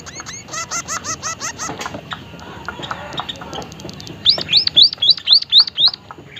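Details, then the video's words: White-headed munia (emprit haji) with a burst of fast stacked chirps, a pause of scattered ticks, then a regular series of seven high up-slurred whistles. "emprit kaji haji gacor suara aneh"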